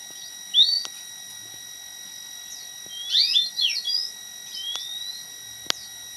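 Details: High, thin whistles from a white-headed munia, kept as tutor song for an oriental magpie-robin: one sharp rising note, then a tangled burst of slurred squeaky notes and a drawn-out whistle, with faint clicks and steady electronic hum.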